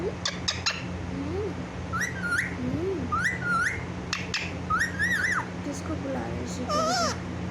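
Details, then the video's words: Pet parrot indoors around 6 in the morning, said to be talking with a clear voice; repeated short whistled phrases that rise and then fall, with sharp clicks between them and a steady low hum in the background. "||mummy mummy|| mithu ko || parrot talking|| clear voice"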